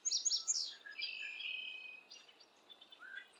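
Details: Fledgling red-headed woodpecker on a limb about 150 feet from the nest tree near Hannibal and the Mississippi River, Sunday morning, adults nearby: a burst of high, harsh chirps, then a thin, drawn-out rasping note, faint chips after; Red-headed Woodpecker.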